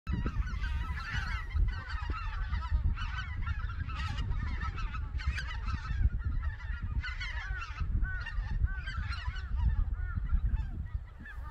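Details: White-fronted geese leaving their roost on Togo Reservoir in Cheorwon, central Korean peninsula, flying to the Cheorwon Plain to feed on a winter morning; a flock gives dense, overlapping, yelping, rising calls throughout, over a steady low rumble.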